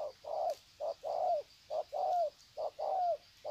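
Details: Wild spotted doves at Sê San on 21 February 2020 greeting each other with long coo bouts: short coos alternating with longer notes that slur downward at the end, repeated rhythmically, with faint insect hum.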